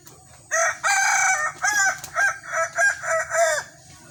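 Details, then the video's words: Crowing kukuak balenggek cockerel during a sparring contest. One loud opening note, then a long held note, then a chain of five or six rising-and-falling syllables in quick succession, each clearly separated. "Ayam kukuak balenggek"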